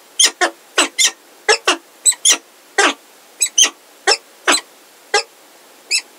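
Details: Peregrine falcons at Heidelberg, a pair with a new unringed female, 17 February 2023: scattered harsh, scraping calls at a slower pace, roughly one every half second, some notes doubled.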